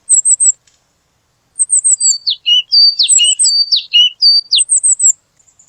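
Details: A purple sunbird opens with a quick burst of very high tinkling notes, pauses, then gives a jumbled series of sharp downward-slurred chips and lower buzzy notes against a silent background.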